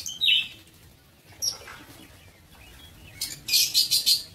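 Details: High, thin chirps from aviary-bred lovebirds start sparse, then turn into a quick string of four or five loud, shrill notes at the end.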